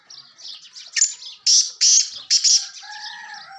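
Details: Sindhi black francolin call used to draw partridges in: a rhythmic series of three or four loud, harsh, rasping notes in the middle, with softer high twittering chirps before and after.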